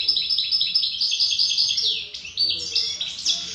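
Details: European goldfinch of wild origin (khalwi) singing unbroken, rapid chattering phrases, high and tinkling, closing with a few sharp rising and falling whistled notes.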